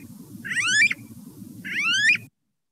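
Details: On St. John in the U.S. Virgin Islands, where anis always live in flocks and nest communally, an ani gives two whining, upslurred whistles, each under half a second and about 1.5 seconds apart, over a low rumbling hum.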